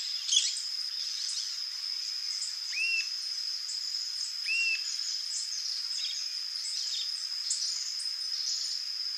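Rufous-tailed jacamar giving two sharp, arched whistled notes about two seconds apart, over a steady high insect drone and faint chirps.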